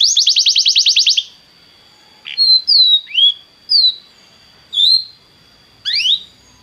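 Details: Belgian canary singing, used to warm up a canary: a loud fast trill for a second, followed by spaced single whistled notes sliding up or down, with a faint steady high tone behind.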